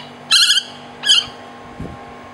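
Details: A juvenile large hawk-cuckoo, rescued on a university campus in Pattani, southern Thailand, after apparently colliding with a wall or window, gives two harsh, wheezy, high rasping calls about two-thirds of a second apart, then a faint low thump and steady hum.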